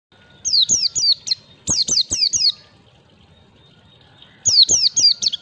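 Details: White-eye (pleci) lure recording for training young birds to sing the wild 'ngalas' style in 1, 2, 3 beats: clear, sharp downslurred whistles in quick runs of three to four, with a two-second pause between bursts.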